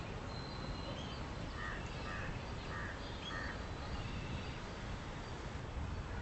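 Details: Western swamphen feeding with chicks, giving four short harsh nasal squawks in a row about half a second apart, over a steady noisy background with a faint high thin whistle early on.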